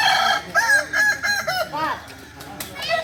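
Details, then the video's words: Kukuak Balenggek singing chicken from Solok in crowing performance training, producing a stepped series of about eight short arched crow syllables in quick succession, then a pause and a final note. "Latihan prestasi Ayam kukuak balenggek ayam penyanyi asli Solok"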